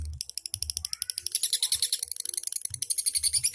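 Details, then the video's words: Lovebird making an irregular high chatter of sharp ticks and buzzy notes that grows denser midway, with low thumps throughout. "KICAU LOVE BIRD 100% MANTAB NGETIK NGEKEK"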